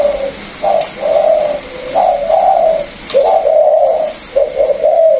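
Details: Low cooing of a caged spotted dove from a Vietnamese pair, one bird used before as a calling decoy, the other newly caught from the wild. Drawn-out coos come in short groups separated by brief pauses, with occasional clicks.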